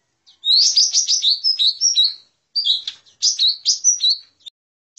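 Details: Lesser green leafbird lure call used to attract birds for trapping: fast, bright chattering and warbling notes with quick pitch jumps, delivered in two dense bursts separated by a brief pause, with no other sounds.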